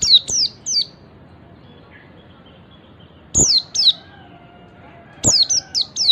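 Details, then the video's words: High, sliding ngalas whistles of an Oriental white-eye, a call said to make other white-eyes join in: a trio of descending notes, a long pause, a pair, then a fast run of four. "MASTERAN PLECI NGALAS SUARA CALL BIKIN SEGALA JENIS PLECI LAIN IKUT NGALAS"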